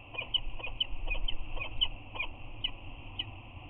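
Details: Pair of adult peregrine falcons greeting at the eyrie on Anacapa, 8 March 2019, with chirping and head bows before the male leaves. Sharp, high chirps come in quick uneven series, about two a second, above steady low wind noise.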